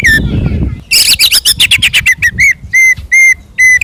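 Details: Fighting-style 'ngeplong' song of an Oriental magpie-robin, played to rile rival magpie-robins into replying. A steady whistle opens, then a fast run of harsh rasping notes, then clear level whistles repeated about every half second. Low rumble underneath.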